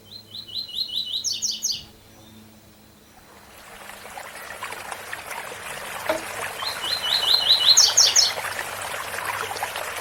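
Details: Two tui-tui song phrases from a rusty-collared seedeater, each a rapid string of repeated chirps ending in higher ringing notes, with the rushing hiss of a waterfall rising between and under them.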